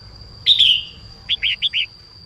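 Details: Red-whiskered bulbul female singing to get males singing: one loud slurred downward whistle, then a quick run of four short rounded notes; a faint constant high-pitched tone hums in the background.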